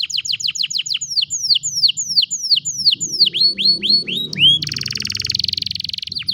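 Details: Canary song captured with a cellphone: a quick run of sharp downswept whistled notes that slows into longer looping slurs, then breaks into a dense, buzzy high-pitched trill before a few final clipped notes.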